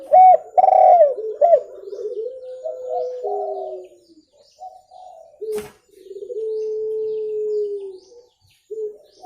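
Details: Spotted dove calling for luring: a few emphatic, clipped coos, then drawn-out level cooing tones. A single sharp clap or knock sounds midway.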